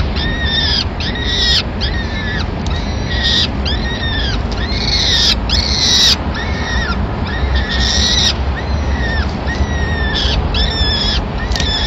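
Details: Peregrine falcon family in Madrid, 26 April 2016: the male arrives with a small bird as the chicks' first food of the day; loud, arched, nasal wailing calls repeat rapidly in overlapping runs, with constant low traffic hum behind.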